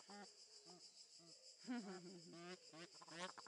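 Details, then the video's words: Egyptian goose kept at Upie zoo, Drôme, France, calling with separate short honks that turn into a denser run of overlapping nasal honks, all against a continuous high insect whine. "Cris de l'Oie d'Egypte"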